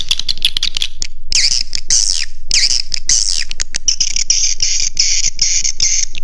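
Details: Swiftlets' roosting lure sound, Raja Di Laut style: quick chirps, then several high calls that dip and rise, ending in a sustained, even, buzzy twitter.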